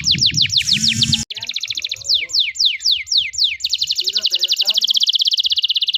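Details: Canary singing hard to coax young learning canaries: falling swept notes, a short low hum, rapid trills and more descending sweeps, finishing in a fast continuous trill.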